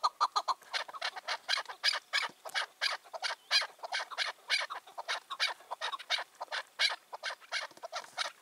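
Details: Territory-holding wild chukar partridge, five to six years old, roaming free on the evening of 4 June 2023: loud, raspy, irregular notes in uneven bursts.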